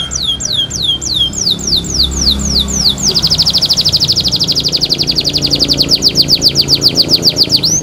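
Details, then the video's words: Canary kept as a pet, bathing and singing: about ten quick descending whistles, then an extended fast trill of high repeated notes lasting several seconds over a low background hum. "Kenari gacor pintar mandi"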